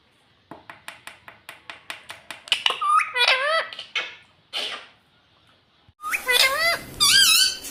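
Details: A pet green ring-necked parrot, kept indoors, imitates speech: a run of rapid evenly spaced clicks, then warbling mimicked words with wavering tones, a short pause, and more loud, slurred talking phrases.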